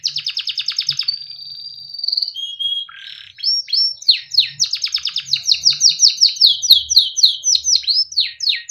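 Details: Timbrado canary singing a melodic song meant for training: a quick rolling trill, then a sustained pure whistled tone, then fast repeated downward-slurred notes with a faint low hum underneath.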